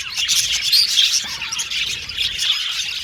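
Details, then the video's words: Happy budgerigars chattering together, overlapping high chirps and quick warbles forming an unbroken twittering wash, with a few sharper squeaky notes standing out near the start. "Beautiful Cute Budgies Chirping Sound | Australian budgies Singing sound"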